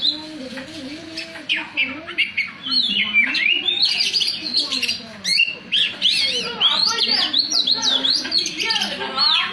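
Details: Oriental magpie-robin song: quick, high whistled notes and slurred rising and falling sweeps in a continuous jumble, growing louder and busier in the second half, over soft low background murmur.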